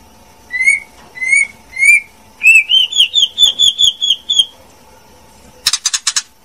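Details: Female white-rumped shama giving three rising whistles, then a fast series of about ten bright, evenly repeated whistled notes, ending in a short harsh rattling burst; a faint steady hum underneath.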